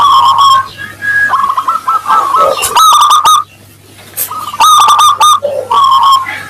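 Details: Local Zebra dove singing in the clear 'crystal voice' style, used to coax other doves into answering: repeated runs of fast staccato coos broken by a short near-silent gap, with a faint low hum throughout.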